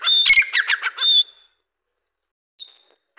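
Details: Grey francolin giving a loud, harsh burst of squawky, stuttering notes lasting over a second, ending in a thin high whistle, followed by silence and a brief faint note.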